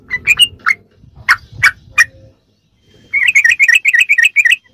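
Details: Sooty-headed bulbul ropelan for masteran use: several separate loud whistled notes, a brief pause, then a rapid chattering trill of short notes.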